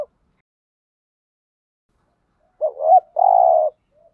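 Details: Spotted dove giving a 'thúc gù' style coo used to stir wild doves: after silence, one phrase near the end with a short looping double note, then a sustained low hum.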